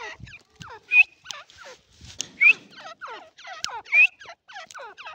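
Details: An Irani partridge calls steadily: overlapping downward-sliding harmonic notes with occasional bright rising whistles, about forty bursts a minute, with faint low noise at the start.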